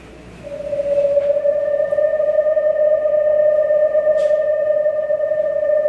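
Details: Eastern Screech-Owl monotone trill, a call mates use with each other and parents use with their young, likened to a frog or toad: a steady, even, low trill held on one pitch for about five seconds over faint hiss.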